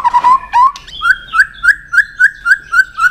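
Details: White-rumped shama in fighting song, tail-flicking to provoke a rival: after a brief warble, one clear whistled note repeats about four times a second, steady and evenly spaced.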